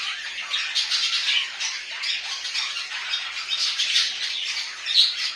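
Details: Steady, dense warbling chatter from pet budgies kept at home, a rapid mix of scratchy squeaks, clicks and high whistled notes without a pause, recorded indoors.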